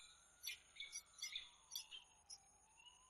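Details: Recorded in Włocławek, Poland, 15 January 2013, a peregrine falcon gives a rapid run of sharp, chippy calls, roughly two or three per second, fading toward the end. A low sliding hum wavers in the background beneath constant thin high-pitched tones.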